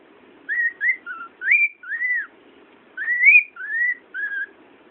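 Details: A pet cockatiel sitting on a pillow on a bed sings a run of clear whistled notes, some rising, some arched, in two bursts.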